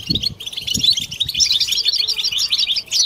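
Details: Group twittering of European goldfinches, used to stimulate females and draw out mating song: a busy stream of high, sparkling chirps and buzzy notes, joined early on by a few soft low thuds.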